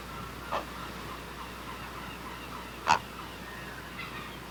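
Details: At its nest, a great blue heron gives short, coarse screams: a soft rasp, then a sharp, loud croaking burst two seconds later and a weak trailing squawk, with constant faint hiss behind.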